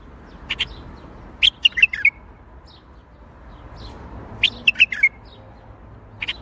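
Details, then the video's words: Bulbul in Baghdadi-style song: short phrases of four or five quick chirped and slurred notes, repeated about three seconds apart, with isolated single notes between phrases. "تغريد بلبل طور بغدادي"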